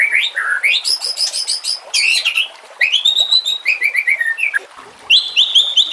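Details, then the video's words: Masteran song of a white-rumped shama used to train caged shamas, with nature sounds and trickling water: high, bright twittering phrases, rapid repeated notes, whistled slurs and buzzy trills, with short pauses between bursts. "Masteran murai TERAMPUH yang di pakai semua burung juara"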